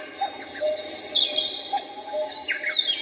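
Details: Bird song in the sky of Seoul, South Korea: dense high chirps and thin whistles run together in a lively stream, with a few quick downslurred notes over a faint constant hum.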